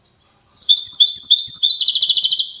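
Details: European goldfinch from Safi, Morocco, singing Widani style: a rush of high, liquid twittering that slides into a fast, regular buzzy trill.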